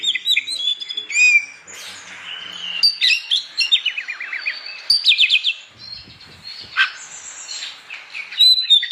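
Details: Morning song of an Oriental magpie-robin, sung to stir rival magpie-robins into singing: mixed whistles, buzzy notes and a quick falling trill, broken by short pauses, with faint low knocks in the background.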